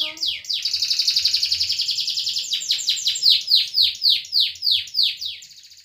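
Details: Canary singing steadily, recorded to prompt silent canaries into song. A dense rolling trill drops into slower, louder repeated sweeping notes that fade out at the end.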